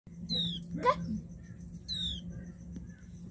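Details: Flowerpecker giving two sharp, high, downward-sweeping call notes about a second and a half apart. A short rising squeal sits between them, over a steady low hum and faint background noise.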